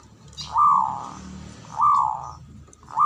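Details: Male zebra dove giving long, drawn-out hollow coos, each lasting about half a second and repeated roughly every 1.3 seconds over a low background hum.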